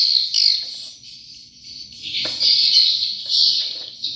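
A dense, high chorus of swiftlets: many overlapping thin chirps and twitters merge into a constant buzzy chatter that swells and fades every second or so.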